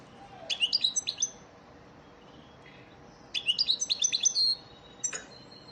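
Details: Training song of an elmacık goldfinch for caged birds: two phrases of fast, bright, high-pitched twitters, with a pause of about two seconds between them, over a quiet background.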